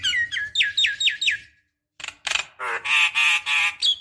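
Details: Javan myna lure recording meant to prompt other mynas to sing: a run of five quick falling whistled notes, a short pause, then a loud harsh, buzzy chattering series of squawks.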